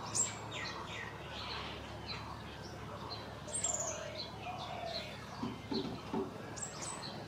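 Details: Scale-breasted munia in Assam, northeast India, recorded March 2025: sharp high chirps and quick descending whistled notes scattered throughout, with a few lower, softer tonal notes near the end and faint background rustle.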